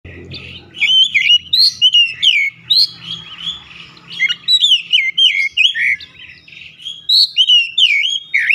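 An Oriental magpie-robin pours out a fast, varied song of bright whistles, slurred notes and chattering phrases, with a faint low rumble at the start.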